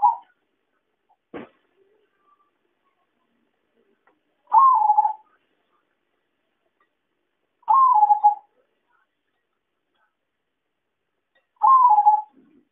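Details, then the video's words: Zebra dove (perkutut) call used to lure birds into traps: three matching rolling coos about three seconds apart, each rising then falling, with a single sharp click early on. "suara pancingan dan suara pikat perkutut"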